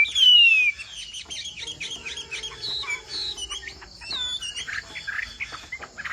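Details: Chinese hwamei singing in the bộ tam hoàng style: one loud, clear whistle slides downward at the start, then only faint, scattered high notes remain.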